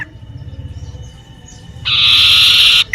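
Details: ['Common iora singing in a garden near home: after a quiet stretch with faint steady tones, a loud buzzy trill lasts about a second, followed by a brief high note.']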